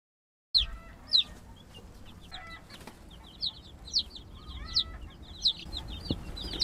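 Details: Young laying-breed chickens, newly placed in a homemade coop built from donated wooden pallets, give thin, high, downward-slurred peeps. The peeps repeat roughly every half second to second, with a few lower double notes mixed in.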